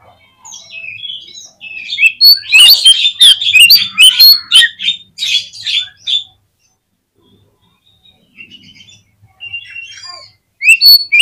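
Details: Oriental magpie-robin singing as a lure to provoke a quick reply and tail-spreading: soft scattered whistles build into a dense, loud run of varied twittering notes, followed by quieter, broken whistled fragments.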